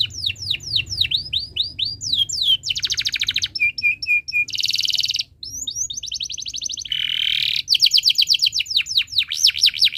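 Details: Canary in energetic long chirping song, recorded as a tutor for young birds: quick falling whistles, dense rattles, a repeated short chip series, a low buzz and closing rapid looping trills.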